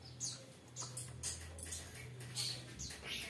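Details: Energetic Long-tailed shrike singing a dense run of rasping, chattering notes interspersed with thin high squeaks, delivered in rapid overlapping bursts, with a constant low mains hum underneath.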